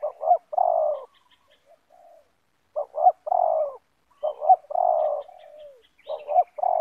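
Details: Yard encounter between a decoy spotted dove and a wild one, both of the very loud 'banggo' type; three clear coo phrases, each a pair of quick notes leading into a long, rough, downslurred coo, separated by short pauses.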